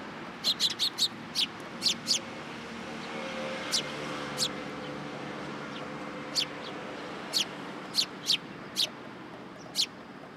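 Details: Sparrows visiting a Tenmangu shrine at first light on 27 September 2022 to get food: a rapid opening run of thin high chirps, then single chirps dropping in every second or so, with a faint low drone beneath.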